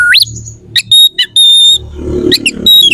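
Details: Oriental magpie-robin song played to stir rival magpie-robins to aggression. A rising whistle, a few sharp notes, and a long steady high whistle, over a low murmuring background hum.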